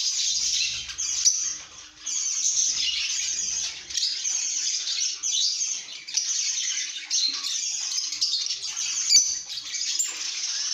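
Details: Lovebirds in a happy mood, singing and chirping: a dense, continuous wash of shrill, squeaky chirps and twitters. It rises and falls in loudness with short dips near two and four seconds.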